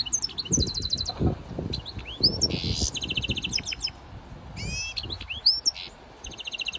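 A goldfinch mule sings a fast, tinkling medley of high trills, buzzy rattles and rising whistled notes, with low room rumble beneath.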